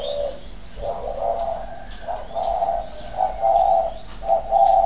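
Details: Vietnamese thổ đấu còi coo from a spotted dove at a Ba Vì, Hanoi farm; soft notes start hesitant, then build into louder, steadier coos, with faint twittering birds in the background.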